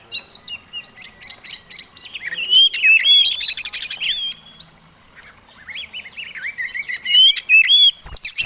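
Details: Provoking song from a fighting-type Oriental magpie-robin: repeated bright whistled phrases, a fast rattling trill in the middle, a short quiet spell, then more looping whistles and clicks.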